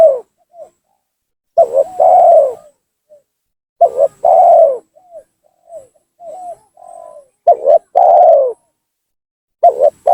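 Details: Tekukur, or spotted dove, giving a lure call meant to force rivals down and agitate them: repeated phrases of two quick clipped coos then a drawn-out downslurred coo, with quieter short coo notes between phrases.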